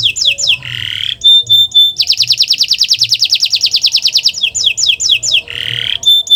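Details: Kenari master song to trigger silent canaries: quick slurred whistles and harsh buzzy notes, a long fast trill in the middle, then more downslurred whistles and buzzes.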